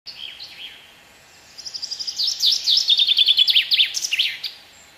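A common chaffinch opens with a few high notes, then a bright rattling series speeds up and drops in pitch, ending in a quick flourish.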